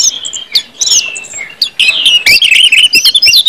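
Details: Brief ngeplong passage of orange-headed thrush song, meant to prompt other thrushes to sing: a few sustained whistled notes, then a loud cluster of slurred whistles and sharp clicks.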